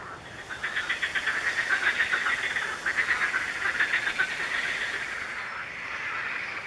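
Eurasian coot giving a fast series of short, sharp, mid-pitched notes, about four a second, for roughly four seconds over a soft background hiss.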